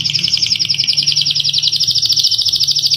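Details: Canary in full rolling song, a master recording for teaching other captive birds: one continuous, fast, buzzy trill held steady for the whole stretch, with a faint low hum beneath.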